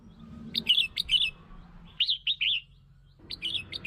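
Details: Red-whiskered bulbul song used to lure and provoke other bulbuls: three short bursts of bright, warbling, chirpy notes, each a quick run of four or five rising and falling whistles, separated by pauses.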